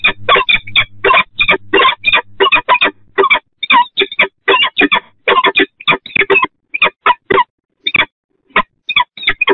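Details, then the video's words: Peregrine falcons at the nest on the Catharina Church in Eindhoven, Netherlands, 8 April 2020 at 07:12, as the male brings small prey to the female; rapid harsh chattering notes, dense at first, then more widely spaced. "Slechtvalk Eindhoven Catharina Kerk. 07.12 uur. EAO met een prooitje voor haar."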